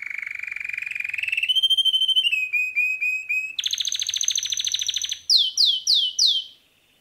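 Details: Canary, a male pet bird, in full song: a long pulsing trill rising slightly, short repeated whistles, a fast buzzy roll, then four loud sweeping downslurred notes.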